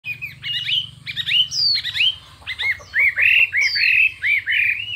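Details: Chinese hwamei in a singing contest, delivering a fiery, many-voiced fighting song: varied whistled notes, rising and falling slurs and hooked phrases in quick bursts, with a low steady hum beneath during the first two seconds.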